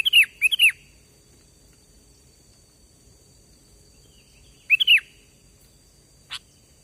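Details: Sooty-headed bulbul song played as a lure for trapping birds: a quick burst of three short, bubbly whistled notes, a long pause, then a similar three-note phrase, followed by a single sharp click.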